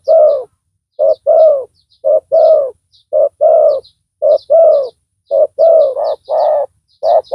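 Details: Decoy spotted dove calling loudly to draw in a rival: steady low cooing in short-long pairs about once a second, later notes overlapping, with faint high chirps from other birds.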